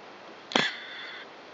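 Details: Japanese tit mother at a nest inside a tube-shaped machine, hissing to threaten an intruder peering in: one short, harsh, breathy burst trailing into a faint thin tone, in a quiet setting.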